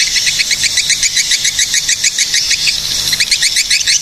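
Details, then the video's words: Swiftlet calls from Cilacap, Central Java, Indonesia, heard as rapid high-pitched chirps tumbling out irregularly, about three to four a second, layered over a continuous shrill twittering wash. "SUARA BURUNG PANGGILAN WALET GACOR"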